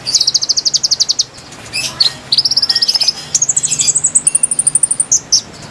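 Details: Konin song used as a lure for wild birds: bright, high chirped notes in fast, even series, then longer strings of rapid repeated ticks and short whistled slurs, with brief gaps between bursts.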